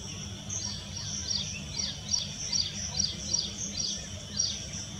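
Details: Hepatic-morph Grey-bellied cuckoo at Khem Villas, dated 10-6-20147, giving thin, high whistled notes, each quickly rising then falling, repeated about twice a second over a low background hum.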